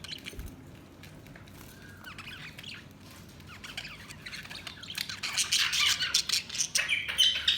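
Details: Budgies chirping, quiet at first, then a dense burst of overlapping high chirps and squeaky chatter in the last few seconds.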